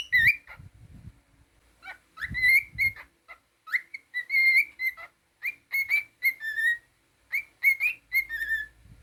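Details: Busy run of whistles from a pet cockatiel: short rising, warbling and level notes strung together, with low thumping and scratching sounds in places.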